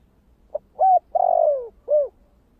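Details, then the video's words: Single low coo phrase from a spotted dove, in the 'giọng thổ kích bổi' style. A soft short note leads into a steady coo, then a longer coo falling in pitch, and ends with a brief rounded coo. Quiet background. "Tiếng cu gáy giọng thổ kích bổi"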